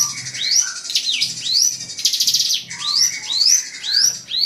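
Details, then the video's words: Drongo song used to provoke an opponent: bright upward-sweeping whistles roughly twice a second, mixed with short lower whistled notes and a rasping buzzy burst near the middle. "SRIGUNTING PANCING EMOSI LAWAN"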